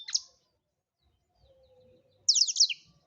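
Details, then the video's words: Blackthroat singing gacor-style for songbird tutoring: a single sharp high note opens, then after a long quiet gap comes a short, fast burst of high descending chirps and trilled notes. "Blackthroat #masteran Burung blekstrut Gacor"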